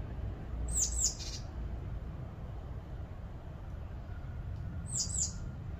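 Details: A great tit calling while hunting insects to feed its young, apparently searching for a chick: two brief, very high, thin chirping calls about four seconds apart over a steady low background rumble.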